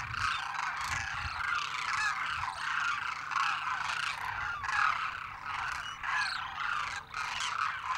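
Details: Demoiselle cranes, a migratory species of central Eurasia, calling as a large gathered flock: dense overlapping croaking, rattling calls with bursts every second or so, a continuous chorus with a steady low hum beneath.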